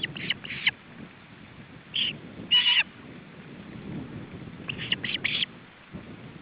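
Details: Male osprey and chicks at the nest in July 2012, a feeding attempt: scattered harsh, high squealing calls in short groups, one loud strained squeal in the middle, then a final cluster, over low rumbling noise.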